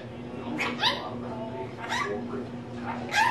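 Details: Captive female rainbow lorikeet kept as a pet, speaking indoors: soft, voice-like syllables with wavering tones, three short utterances spread across three seconds, quiet against a constant background hum.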